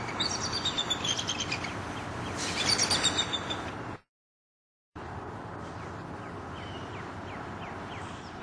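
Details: A Bald Eagle gives thin, high, downslurred whistled cries in a loose series, echoing through the Everglades forest near its nest by Spring Creek, southwest Florida, in early morning, after other birdsong and a man's narration.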